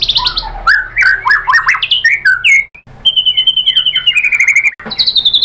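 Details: White-rumped shama, or murai batu, singing in a recording played to provoke rivals: varied slurred whistles, then a long sustained high note with fast chattering overlaid, ending in bright rising whistles.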